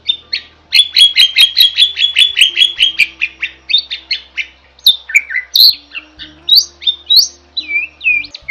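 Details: Gacor jalak song for masteran: a rapid burst of repeated sharp chip notes, about two per second pace doubled, then shifts into varied looping whistles, rising slurs and squeaks, over a faint low hum.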